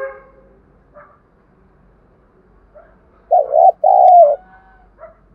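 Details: A spotted dove's lure call to rouse other birds: one loud paired coo, a bent note then a falling drawn coo, after faint chirps and soft background noise.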